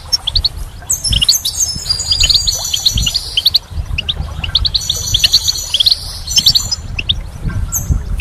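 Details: Goldfinch singing in spring, a lively stream of high twittering notes and short buzzy runs, louder in two main bursts, with a low steady rumble behind.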